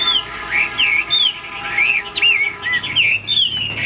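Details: Caged Chinese hwamei that fans and flicks its wings while singing a run of varied, slurred whistled phrases that rise and dip, delivered in quick succession over a faint steady hum.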